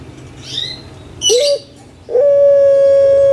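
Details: Puter pelung collared dove kept in captivity in Indonesia gives faint high squeaks, a short clipped note, then launches into a long, smooth, unbroken coo held steady to the end.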